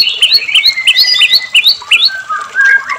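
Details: White-rumped shama singing to provoke captive birds: a rapid run of bright paired notes repeated about three times a second, then lower slurred whistles, with water noise.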